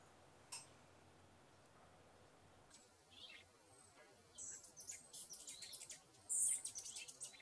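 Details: Rufous hummingbird, which chases even larger hummingbirds. After quiet hiss, a lively series of high, sharp chips and squeaks builds over the final few seconds.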